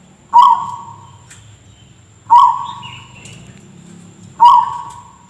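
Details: Zebra dove (perkutut) whose strange call is likened to a coughing person: three sharp, rasping notes, each decaying slowly, repeated roughly every two seconds above a faint steady high whine and low rumble.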